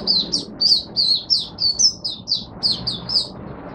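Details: Oriental white-eye in Singapore, humid, warm, rainy and overcast: a continuous string of around fourteen high, bright chirping whistles, each slurred downward, delivered evenly over a low background rumble.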